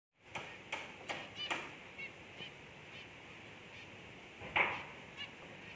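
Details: Albino zebra finch chick giving short, nasal, honking calls in a quick run of about six over two seconds, then a pause and one louder call near the end; faint background hiss.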